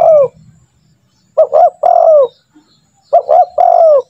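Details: Lure calls of a spotted dove, meant to get trained doves calling fast: two sets of the phrase, each two brisk short notes followed by a long sliding-down coo, over a quiet background.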